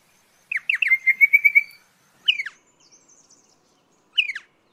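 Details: Small pardalote from low ground near water: a few sharp falling chirps leading into a quick, even trill of repeated notes, then single chirp groups after pauses.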